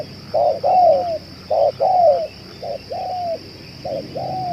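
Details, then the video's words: Spotted dove, a long-cooing captive bird used to lure wild doves: husky coos, short notes paired with longer slurred falling ones, in uneven groups, over low background rumble and a steady thin whine. "BL ini tahan bunyi dan menguku 2 jam‼️ cocok untuk di jadikan pikat"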